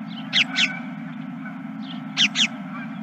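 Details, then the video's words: Geese calling at a ranch at 21:26 on 31 March 2023. Two pairs of sharp, harsh honks arrive about two seconds apart, with faint distant calls between them over a constant low mechanical hum. "Geese and more Geese"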